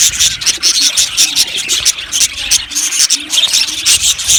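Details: Budgerigar colony in an aviary: a dense wash of overlapping high chirps and scratchy chatter, with rapid sharp clicks and short whistled notes flickering through without pause.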